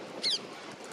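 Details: A young lesser black-backed gull, one of four chasing their parent near a car park, gives one brief, thin, high whistled begging note that drops slightly in pitch, over steady wind and distant surf.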